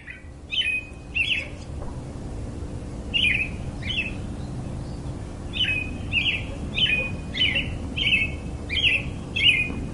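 A robin sings short, clear warbled phrases of two or three notes, repeated about once a second with brief pauses, over a steady low hum.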